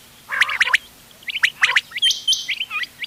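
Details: Ghonge wal, doghla and changa quail voices mixed for hunting, 31 October 2025: a softer harsh burst, a few clipped chirps, then a quick whistled trill of hooked notes.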